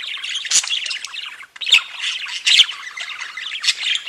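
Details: Budgerigars kept as pet birds, several together, chattering and singing: a dense, continuous warble of buzzy, scratchy notes and squawks with brief louder chirps, almost no pauses.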